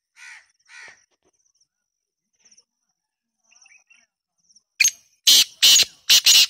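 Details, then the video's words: Black francolin giving its grating call near the end: one brief harsh note followed by three loud, buzzy, rasping syllables, after faint distant harsh notes and soft high chirps. "Black tater tots voice"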